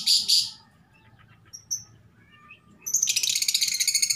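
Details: Female lovebird calling for a mate: a loud shrill chirp burst at the start, quieter scattered squeaks, then a rapid stuttering series of harsh high chirps to the end; low hum underneath.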